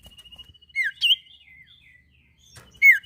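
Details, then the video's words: Sirtu bird song meant to lure other birds into singing: a thin, steady high whistle under sharp, downslurred chirps and a looping high note, with brief pauses between phrases. "sirpu gacor cocok pancing bunyi burung ombyokan"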